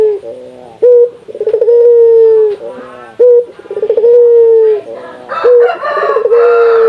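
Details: Calls of a local Indonesian puter dove meant to prompt other doves to sing. A sharp note, a stuttering roll, then a steady drawn coo, repeated roughly every two and a half seconds. A brief rustling noise comes near the end.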